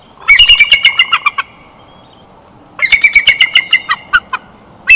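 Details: Chortle of a wild female bald eagle at a Big Bear Valley nest camera on 12 June 2021: two loud bursts of rapid, high piping staccato notes, about a dozen each, separated by a second's pause.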